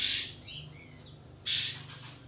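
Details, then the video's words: Pied fantail, local name kapas tembak, calling a rival as a provoking lure. Two loud, harsh, high blasts bracket a pair of soft falling whistles, with a steady high hum throughout. "Kapas Tembak Bukor Mbeset Memanggil Lawan Untuk Pancingan Katem Agar Buka Ekor Gacor"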